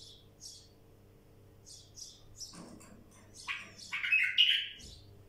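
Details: Wild bulbul: a run of thin, high chirps at a steady pace leads into a loud, full-bodied warbling phrase near the end, with a low background hum throughout.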